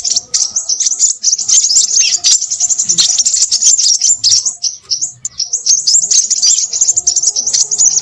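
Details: Crimson sunbird chattering noisily: a dense, unbroken run of very high, thin, rapid twittering notes with only brief dips, some faint lower tones in the background.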